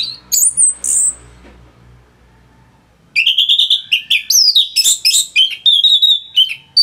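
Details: Orange-headed thrush song used as a tutor for songbirds, northern Bali: a few high squeals, a quiet gap, then a long fast stream of whistles, chirps and trills varying in pitch.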